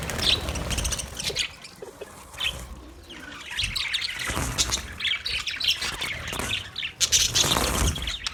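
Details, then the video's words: Budgerigar singing recorded 14 March 2024: uneven chirping and scratchy chatter with some low thuds, growing louder with sharp squawks toward the end. "Beautiful Budgie Singing Chirping sounds"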